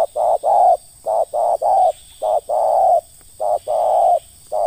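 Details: Terkukur, or spotted dove, in a luring context, calling rapidly in ngeruk fashion: short clipped notes alternating with longer full coos, closely packed and loud, with a faint high steady tone behind.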